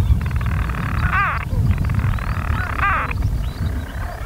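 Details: European storm petrels calling from nest burrows in daytime on 5 June 2013, Skokholm, Pembrokeshire, Wales. A long churring purr of rapid pulses is broken twice by a sharp hiccuping note, over a steady low rumble of wind.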